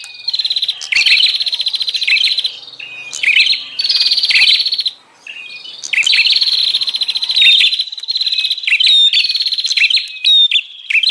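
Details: Wild-bird lure of the bar-winged prinia in the noisy 'ribut' style: long runs of dense buzzing rattles, each a second or more, broken by sharp chips and thin whistled notes.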